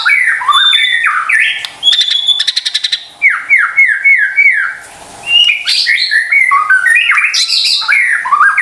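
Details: White-rumped shama lure song intended to stir silent or stressed birds into singing: fast varied whistles, a rapid rattling trill, descending slurred notes, a short pause, then more mixed chattering phrases.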